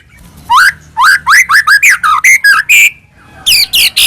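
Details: White-rumped shama song used as a lure to provoke another shama into singing: loud, varied whistled notes rising and falling, rapid upward sweeps in quick bursts separated by short pauses.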